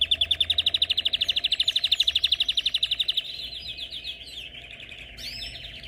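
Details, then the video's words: Canary singing: a fast, even trill of rapid repeated notes for about three seconds, then a quieter, looser warble of varied twittering phrases with a few high chips near the end. "كناري الجاسب"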